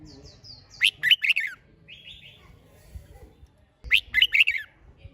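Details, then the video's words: Red-whiskered bulbul in competition-style singing, used to stir birds into singing; two bursts of rich, rapid warbled notes sweeping up and down, separated by about three seconds, with faint thin high whistles between. "Chào Mào Hót - Kích Chim Hót Xung"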